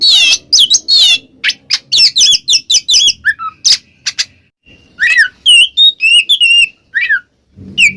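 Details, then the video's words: Oriental magpie-robin in 'ngeplong' song, played to provoke a silent kacer: quick run of wavering, buzzy notes, then spaced clear whistled phrases with short falling slurs and pauses. "suara burung Kacer NGEPLONG kacer bisu pasti langsung nyaut seketika"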